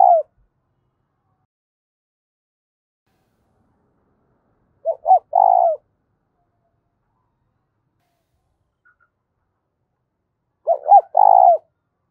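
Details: Spotted dove cooing in its calling and urging style. Three phrases repeat about every five to six seconds, each a stutter of two or three short notes leading into a longer mellow coo. Silence between phrases.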